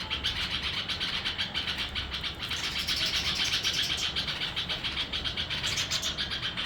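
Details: A red-vented bulbul chick gives high, raspy calls about four times a second in a busy, steady stream, over a low background rumble like distant traffic.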